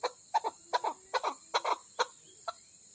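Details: A female chakor, Chukar partridge of Koh-i-Suleiman stock from Pakistan, gives paired chuk-chuk notes, doublets repeated about every half second, then tailing off into single softer clucks; a steady faint hum runs beneath.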